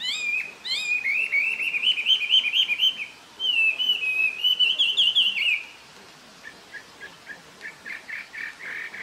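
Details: Taiwan hwamei recorded in April 2024 in Jianshi Township, Hsinchu, Taiwan, pours out rich, rapid whistled phrases with slurred, warbling notes, then shifts to shorter choppy repeated notes after a pause.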